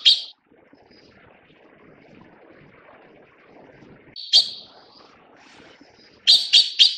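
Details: Taiwan blue magpie feeding its chicks, giving a single short rasp, a longer buzzy grating call after a pause, then three quick harsh notes in succession against a low, quiet background.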